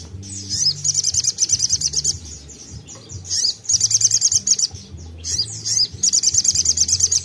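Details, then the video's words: Chattering Crimson sunbird giving 'tembakan' bursts to stimulate untrained sogon: three rapid high trills of evenly repeated sharp notes, each opened by a short swept note, with low droning tones beneath. "Tembakan sogon gacor bagus untuk pancing sogon bahan"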